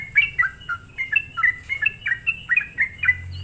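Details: Sooty-headed bulbul song played as a lure to excite other bulbuls; a steady run of short, bright whistled notes, many slurring downward, about three per second, with a faint low hum beneath.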